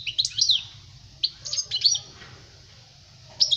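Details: Song of a European goldfinch, played to teach young birds: a few short bursts of high twittering and slurred whistled notes separated by quiet gaps, with a steady low hum underneath.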